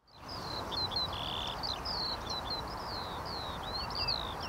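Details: Common redshank calling: high, clear whistled piping notes, some sliding, tumble over one another as if from several birds, over a steady rushing background of wind or distant traffic.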